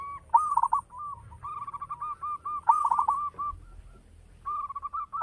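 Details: Local zebra dove in full song with a strong voice, giving runs of short mellow coos that merge into bubbling trilled phrases, about three bursts in quick succession.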